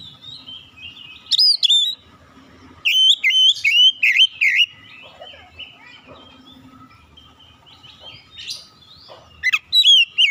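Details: Oriental magpie-robin in full song: clear whistled notes and quick warbled phrases in several loud bursts, separated by softer chattering passages, over a constant faint low-pitched hum.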